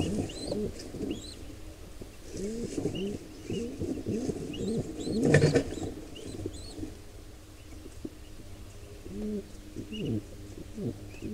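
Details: Wild pigeons during an intruder pair's attack on a squab in a nest; a burst of low bending coo notes, a loud thump midway, then a few more coos, with scattered faint high squeaks.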